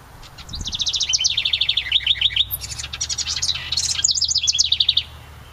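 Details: House wrens nesting in a decorative ceramic birdhouse by a cabin, landing on perches near the camera: bubbling, rapid trilled song with fast repeated notes, several phrases running nearly continuously over a few seconds.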